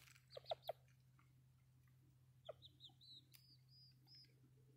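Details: Friendly wild ruffed grouse strutting up close, giving clucking, clicking and purring noises: three short loud clucks early, then a scattered series of softer clicks and brief tonal notes over a steady low hum.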